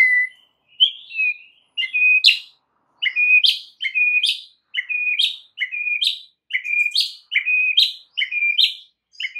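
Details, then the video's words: Lure song of a White-rumped shama, meant to make other shamas sing actively and enrich their repertoire: a sharp whistled note with an upswept flick, repeated about once a second in an even series. "PANCINGAN Murai batu untuk MEMIKAT murai lain AGAR GACOR dan TAMBAH ISIAN"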